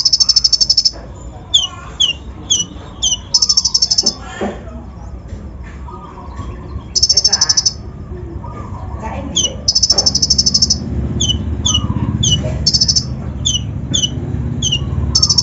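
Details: Lure song from an untrained brown-throated sunbird (kolibri ninja), full of coarse fill-in phrases to excite other birds: bursts of rapid high buzzy trills alternating with quick downslurred whistles, faint low rumble behind.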